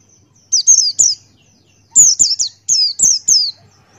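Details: Singing male Buxtoni white-eye with bill wide open, tutor recording: rapid bursts of piercing, descending chirps, three in a row, then pairs, all very high and clean against a quiet background.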